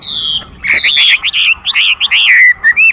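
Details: Chinese hwamei song: loud, clear whistled phrases that slide and warble, with a long falling note first and then a run of quick looping, rising and falling notes.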